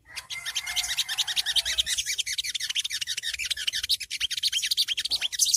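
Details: Songgo ontong ngriwik call, used as training audio for young birds at an early stage and meant to provoke other birds into answering: a dense, fast run of high, scratchy chirps, several per second throughout, with a steady lower tone during the first two seconds.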